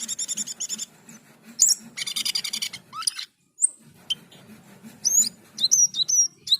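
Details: Asian pied starling singing vigorously: fast clicking chatter, a dense rattling burst, a short silence, then sharp, high, bent whistles repeated several times.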